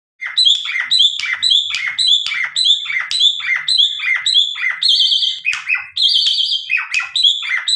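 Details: Asian pied starling, a tame bird in full song used as a lure to draw replies from other starlings: loud rapid series of descending whistled and harsh notes, about two per second, with buzzy held phrases mixed in.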